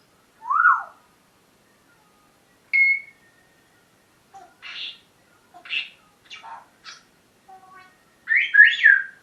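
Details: Pet parrot's morning talking: an arched whistle and a high short whistle, then a string of soft, clipped, speech-like syllables, ending with a loud doubled squawky phrase.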